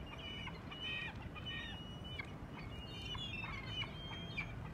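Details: Gulls at Choshi port, Japan, on 11 March: several overlapping harsh, nasal calls with harmonics, given in irregular bursts over steady low harbour rumble.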